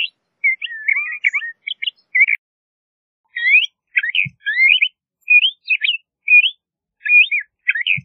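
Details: LeConte's thrasher song made of clipped, twisting whistled phrases, an opening burst, a pause of over a second, then further varied notes in short clusters, with faint low taps.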